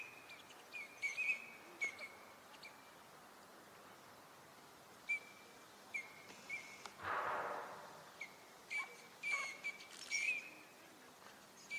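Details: Wintering Eurasian teal in a park pond at Junsai-ike, Chiba, Japan, in March 2025, giving short, high, piping whistles in brief clusters every second or two, with a soft rushing noise in the background.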